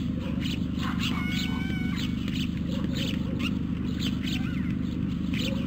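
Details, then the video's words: White stork chicks in Carpinis, Romania, on 12 August 2014, picked up by a nest camera while hungry. They make quick, harsh, repeated chattering bursts about three per second. A clear, level whistle from another bird sounds near the start, over a constant low hum. "Poor, hungry storklets"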